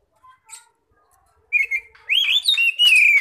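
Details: Oriental magpie-robin in loud ngeplong song, played to attract other magpie-robins; a few faint high notes, then strong whistled phrases with upward swoops and long sliding tones.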